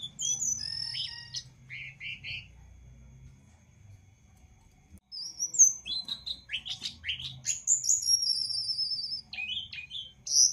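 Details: Energetic singing of a Jongkangan, offered as tutor song for other birds: scattered high whistles and chirps, a quiet stretch of several seconds, then sharp descending whistles and fast twittering.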